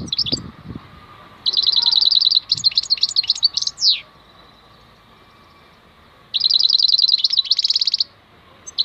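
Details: European goldfinch giving khalwi-style song: high, tinkling trills in two long bursts with fast repeated notes and a downward-sliding note, separated by a few seconds of near-silence; a brief low knock at the start.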